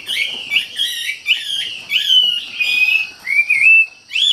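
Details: Treepie (wambi) singing vigorously, delivering rich warbled whistles in tight, looping phrases, ending with a smooth rising note, against a quiet background.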